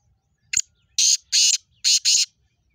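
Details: Black francolin (kala teeter) in Sindh, Pakistan: one sharp short note, then four harsh, grating, buzzy bursts in two close pairs, each about a quarter-second long, against a quiet background.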